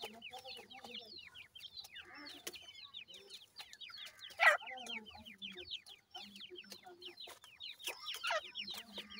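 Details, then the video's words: Grey francolin chicks playing, a steady chorus of thin, quick, falling peeps from several young birds, with brief scuffling noises. "goray teetar kay goray bachay in the playing,chicks voice"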